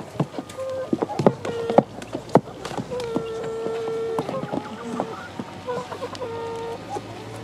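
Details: Young chickens, eleven weeks old, in their play pen, giving repeated short whistled peeps and longer level piping notes, with sharp knocks and a faint human voice in the background.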